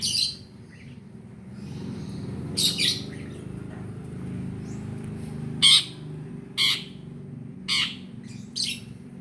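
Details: Long-tailed shrike used as a lure to stir a silent caged bird into singing. Sparse, scratchy, high bursts arrive in pairs and singles with quiet gaps, over a faint low rumble.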